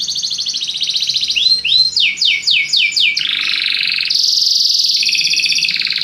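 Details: Belgian canary song, used to stimulate other birds: a high buzzy trill, then a series of clear downward-sweeping whistles, a lower rapid rolling trill, and a very high fast trill to finish.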